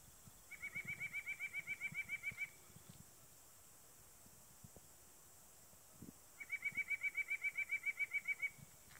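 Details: Male white-breasted nuthatch singing in By-the-Lake Park, Wetaskiwin: two bursts of rapid, evenly spaced nasal notes, about seven a second, each lasting around two seconds, over a low background rumble.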